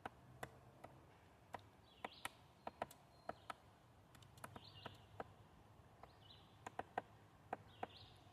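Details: A woodpecker at work gives irregular, sharp, dry taps, roughly one to three a second, faint against a quiet background, with occasional soft brief chirps from another bird.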